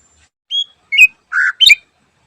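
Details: Cucak ijo, the greater green leafbird, singing energetically in the morning, delivering a full song packed with varied fill-in phrases. Four short notes follow one another: a pure whistle, a slurred whistle, a buzzy lower note, then a sharp complex chirp.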